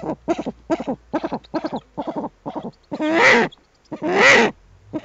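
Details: Eurasian eagle-owl adult and owlets at the nest, webcam recording from 21 April 2020: a quick series of short harsh barking notes, then two long loud hoarse rasping screeches.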